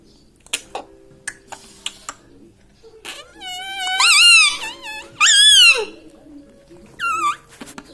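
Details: A talking pet parrot, taught mummy, papa and radhe radhe, gives soft clicks and taps first. Then come two long, wailing, wavering phrases and a short rising squeak.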